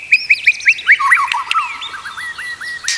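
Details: Training song of a white-rumped shama for tutoring other shamas: a run of descending whistled notes, then twisting slurred whistles trailing into softer varied phrases.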